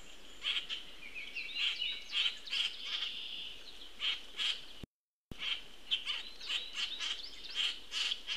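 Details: Juvenile common grackle being fed by an attentive parent, watched on a Cornell Lab of Ornithology feed on 22 June 2018; high squeaky notes repeated about twice a second, with rough raspy calls, a brief gap midway.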